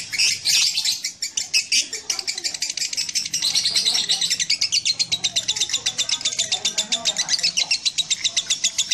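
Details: Lovebird song as a fast, high, buzzy chatter of repeated chirps, with low background murmur beneath.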